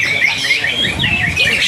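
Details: Greater green leafbird, a caged competition bird that won first place two seasons running, sings a fast, continuous run of bright whistled and chirping notes that rise and fall in quick slurs, with crowd murmur in the background.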